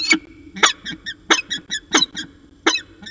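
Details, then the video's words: Rapid chattering from a peregrine falcon pair during an afternoon exchange at Orange, 13 January 2019: loud harsh notes, each followed by fainter echoing chips, forming quick stuttering runs of three or four. "Peregrine Falcon Long Afternoon Discussion"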